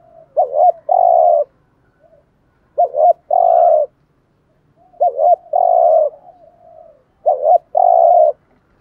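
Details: Spotted dove giving a patterned, urging coo used to lure wild doves: four clear, matching phrases roughly every two seconds, each a short double note followed by a longer, fuller coo, in quiet surroundings.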